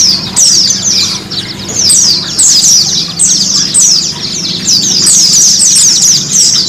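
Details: A white-eye sings fast, high, twittering phrases, repeated almost without pause, over a faint low hum, in a recording meant to get pet white-eyes singing.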